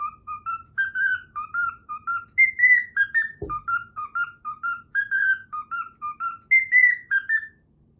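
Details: A pet cockatiel whistles the Pythagora Switch opening theme, a rhythmic series of pure short notes rising and falling in small steps, with one sharp click partway through and the whistling stopping near the end.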